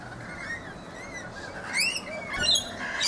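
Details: Rainbow lorikeets feeding in a Brisbane backyard guava tree, Australia: thin high squeaks followed by sharp piercing screeches near the end, over faint background hiss.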